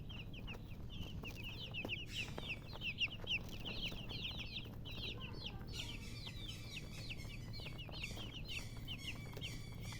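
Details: A crowd of young chicken chicks giving shrill, rapid descending peeps. The chirping is continuous and grows denser and louder in the second half, over a soft low background rumble.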